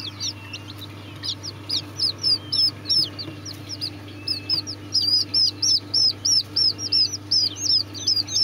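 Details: Serama chicken chicks giving a rapid run of high, thin peeps, each a short upward-then-downward chirp, repeated about three times a second against a steady low electrical hum.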